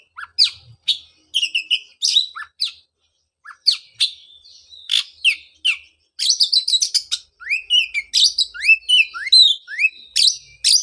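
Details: Oriental magpie-robin song used as a lure to stimulate a bird that stopped singing after moulting; varied bright chirps and whistled phrases, then rapid rising slurred notes repeated in quick series, with short silent gaps.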